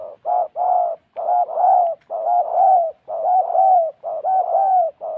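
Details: Spotted dove kept as a decoy in Gia Lai, Vietnam, coos steadily: repeated short-long hooting phrases about once a second, low, hollow and evenly paced.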